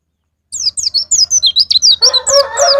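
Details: White-eye song used as a lure to prompt caged birds to sing: a rapid series of high, downward-slurred whistled notes repeated about four per second, joined after two seconds by a lower, harsher overlapping sound.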